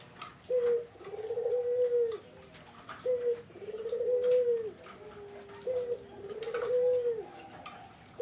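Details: Barbary dove call used to lure zebra doves: three full phrases, each a brief low note then a drawn-out, slightly rising and falling coo, spaced roughly two and a half seconds apart, clear and close.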